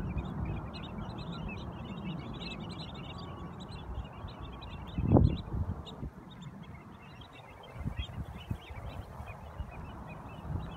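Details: Flock of Long-billed Dowitchers flying above Charleston Slough, Shoreline Park, Mountain View, California, on February 1, 2019, keeps up a steady chatter of short, sharp, high keek notes over a deep rumble of wind or distant traffic.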